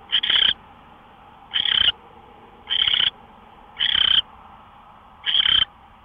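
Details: Owl heard before dawn, 5:27 AM on 24 March 2013: five rough, hissing screech notes, each short and broad, spaced about one to one and a half seconds apart, with a low background hum.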